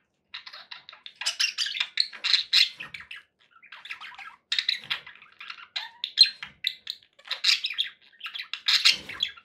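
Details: Budgerigars kept as pets, chattering in bursts of buzzy, scratchy warbles and quick chirps, with short pauses between phrases.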